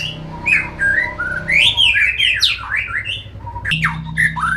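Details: Oriental magpie-robin, a young jlamprong contest bird aged nine months, sings varied loud whistles: swooping, bending phrases with quick upward and downward slides. A steady low electrical hum runs underneath.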